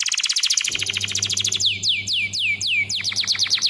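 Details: Canary song used as a master song for training other canaries: fast rolling trills of repeated notes, then a series of clear downward-sweeping whistles, ending in another quick trill, with a low hum underneath.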